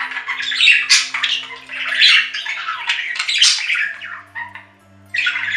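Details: Budgerigar chattering in dense, scratchy warbles and squawks, mostly high-pitched, in overlapping bursts with a brief lull before the end, over a faint low steady hum.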